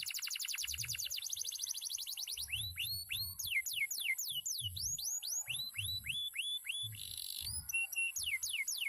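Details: Canary, described as a former field bird, in loud continuous song: a fast high trill of tiny rising notes gives way to a long series of down-slurred whistled notes at about three per second, with soft low thumps underneath.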